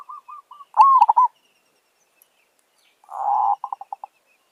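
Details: Zebra dove, a wild visiting village bird met while being lured with a decoy for trapping: soft short cooing notes, then a buzzy rolling coo ending in quick staccato notes, the rolling coo and staccato pattern repeated a second time.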